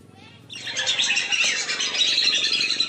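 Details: Lesser whistling duck lure sound for calling the birds down: after a quiet start, a dense, continuous chorus of high, shrill whistling chatter begins and holds steady to the end.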